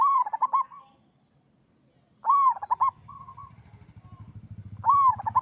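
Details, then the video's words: Three kerot-style phrases from a local zebra dove, each an arched coo followed by rolling pulses and soft level coos, with a low steady hum building underneath in the later part. "Suara perkutut lokal gacor kerot"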